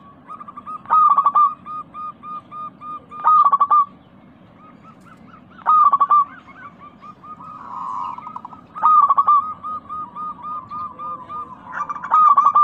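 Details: Local zebra dove in lively, clear-toned 'crystal' voice, played as a lure to prompt caged doves to sing. A loud, stuttering cluster of mellow notes returns every two to three seconds, with strings of softer, quick coos between.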